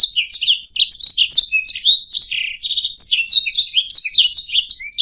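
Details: Canary song made for teaching other birds to sing: quick slurred chirps, a brief rattling trill in the middle, and a rising whistle near the end, clean and close.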